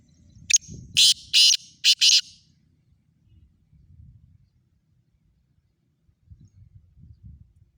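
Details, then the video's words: Rasping call of the black francolin (kala teeter): a sharp lead note and four coarse, buzzy bursts within about two seconds, followed by silence with faint low rumbling sounds. "kala teeter ki awaz"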